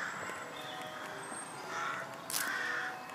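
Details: Rooks at St Mary's Church, Pulford, near Chester, England, 20 May 2018, giving harsh, rasping caws in two or three short bursts over a faint steady ringing tone and other distant birds.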